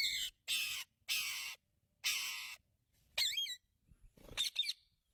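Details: Pet Indian ringneck parrot talking with its owner for the first time: four loud, harsh, broadband screeches about half a second long, then a short twisting squeal and a few quick chirps near the end.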